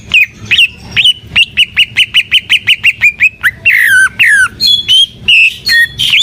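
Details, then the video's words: Greater green leafbird in full song, starting with a steady run of short whistled notes repeated several times a second, then breaking into harsher downslurred squawks and varied whistles. "Suara Burung Cucak IJO FULL Gacor"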